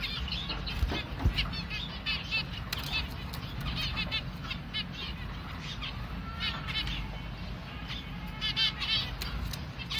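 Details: Hand-fed baby finch begging: bursts of fast, high, thin chirps repeated in clusters, with a low constant hum beneath and a few soft clicks.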